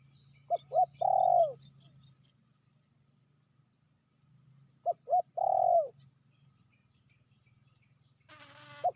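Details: Spotted dove hen, said to be more aggressive than the male, calling at medium strength: a three-note coo phrase of two short notes and a drawn-out purring note, repeated twice, with brief chatter and a low rumble near the end.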